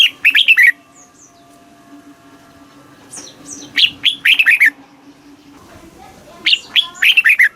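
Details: Red-whiskered bulbul song from Thailand, played to excite caged birds and teach chicks: three bursts of four to five quick, liquid, slurred whistles, a few thin high notes between, and a steady low hum.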